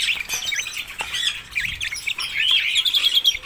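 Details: Red-rumped parrots giving rapid chirping, twittering calls, short warbled notes tumbling together, ending in a run of higher whistled chirps.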